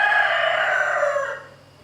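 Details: Rooster bothering a hen with chicks; a loud, harsh, sustained crow holding a steady tone, then sliding slightly lower and fading away over the last half second.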